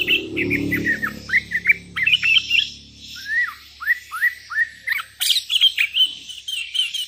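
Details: Sooty-headed bulbul call aimed at rivals, wild birds answering: a steady run of clear downslurred whistles, about two per second, following a rough low rumble at the start, with a sharp burst midway.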